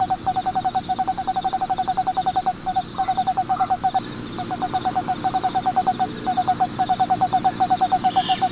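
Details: An Eastern screech owl in its nest box in Austin, Texas, where a pair has nested for 4 years, gives a steady, level trill of rapid soft hoots in bursts of one to two seconds, over a constant high hiss of insects.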